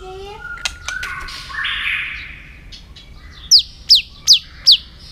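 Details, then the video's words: White-rumped shama singing many voices, used for training other shamas: soft low whistles and a buzzy burst, then four sharp descending high notes evenly spaced about every 0.4 seconds. "Chòe Lửa Hót Nhiều Giọng, Luyện Chòe Lửa Hót Căng"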